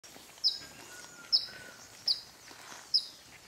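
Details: A golden-bellied flycatcher (Myiodynastes hemichrysus minor) in Bellavista Cloud Forest Reserve, Ecuador, in May 2012 gives four sharp, high squeaky notes a little under a second apart, over a steady hiss with a faint whistle behind.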